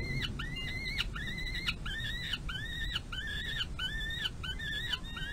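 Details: Hungry peregrine falcon chick, one of two eyasses, being fed at the nest box runway on May 25 2022. Arched, nasal squeals are repeated steadily, roughly twice a second.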